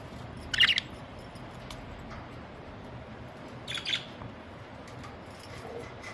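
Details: Pet budgerigars calling on a very hot summer day, 23 May 2023, with the temperature given as 50 degrees: two short, bright chirps about three seconds apart over a steady low background hum.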